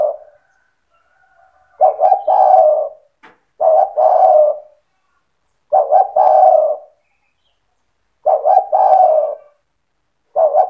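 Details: Spotted dove singing in cetretan style to make other doves join in: five rhythmic phrases about two seconds apart, each a quick pair of coos then a prolonged soft coo, with a few clicks in between.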